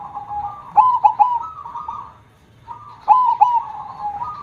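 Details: Zebra dove (perkutut), a vocal, loud-voiced bird kept for song, giving two cooing phrases: a sharp clipped triple note followed by a long rolling purr, separated by a brief pause.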